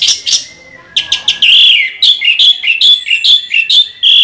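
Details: Orange-headed thrush rolling its song: a brief burst, a short lull with a low thin whistle, then a rapid run of loud rhythmic chirped whistles repeated about twice a second.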